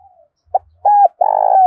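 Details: Spotted dove cooing to stimulate other doves: a short clipped note, an arched hoot, then a long rolling, burred coo that is cut off at the end.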